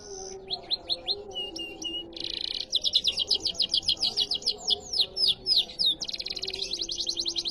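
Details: Canary singing a varied song: quick trills of repeated sweet whistled notes, switching between fast rolls, buzzy bursts and clear descending slurs, several phrases in under eight seconds.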